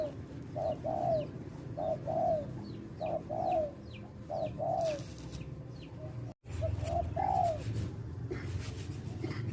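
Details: Male spotted dove calling as a lure for bird trapping: soft, hollow coos in short groups of two or three, each ending in a longer slurred note, repeated several times over steady low rumbling background noise with a brief dropout.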